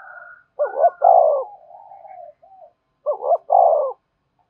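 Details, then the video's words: Spotted dove cooing as a lure to excite wild doves: two quick rising notes followed by a fuller falling coo, given twice about two seconds apart, with a soft drawn-out tail between phrases. "Tiếng chim cu gáy thúc bổi, bổi nghe rất nhạy gáy và về cội nhanh"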